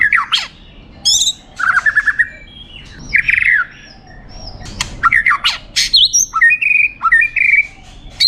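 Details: Champion competition white-rumped shama singing loud, varied phrases: sharp rising and falling whistles, buzzy bursts and clear sustained notes in quick bouts separated by short pauses, with no other sounds competing.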